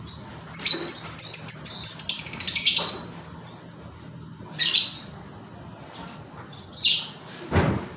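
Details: Lovebird ngekek song used as a lure to prompt singing: a long chattering trill of rapid high shrill notes lasting over two seconds, followed by short harsh squawky bursts and a thump.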